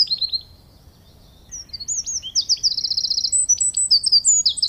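A wren sings a loud, very high outburst. A few quick notes and a pause lead into rapid, ringing trills and sharp tweets.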